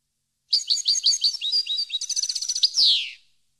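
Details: Song of a European goldfinch for tutoring captive birds: a chain of bright chirped notes becomes a rapid even trill and closes with a harsh descending buzz. No other sounds.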